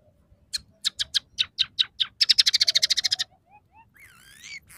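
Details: Scaly-breasted munia in gacor song carrying sparrow, red siskin and canary fill-ins: spaced sharp chirps speeding into a dense rattling trill, then thin whistles and a wavering, rising buzzy phrase, with faint low background noise.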